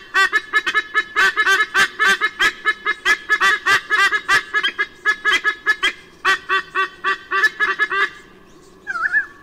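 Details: Pair of white-bellied sea eagles at their nest in Sydney, Australia, on 16 October 2018, the young bird gone, parents chasing off intruders: rapid honking, goose-like calls, about forty notes in eight seconds, bursts broken by short pauses.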